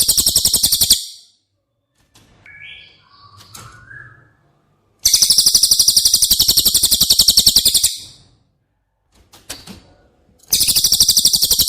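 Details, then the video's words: Song of the cililin recorded as a lesson for caged White-rumped shama: repeated rapid, high, buzzing trills lasting about three seconds, with faint chirps and clicks between them. "Masteran CILILIN Materi Wajib untuk Burung Murai Batu anda!!"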